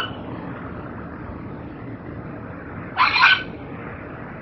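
A Red Wattlebird gives one harsh, raspy, cough-like note lasting under half a second, over a steady low background hum.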